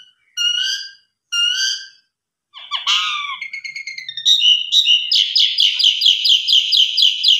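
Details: Javan pied starling lure song with full varied material: two rich harmonic whistled phrases, a descending slurred note, then an accelerating run of rapid, rhythmic buzzy chatter repeated about twice per second.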